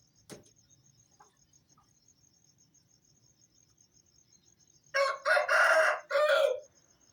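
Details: After a quiet start at around 4:30 am, an Aseel rooster lets out one loud, hoarse crow in several stuttering bursts, over a steady high insect trill.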